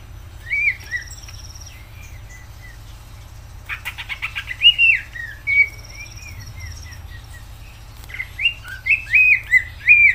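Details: Greater green leafbird in full song, called gacor: clear whistled phrases near the upper-middle range, rising and falling slurs given in bursts, interrupted by a rapid harsh rattling series, with a steady low hum underneath.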